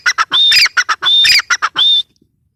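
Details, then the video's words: Calls of a female grey francolin, harsh raspy notes with short high whistles, delivered in three quick bursts before stopping abruptly. "gray francolin teetar sound | female teetar awaz"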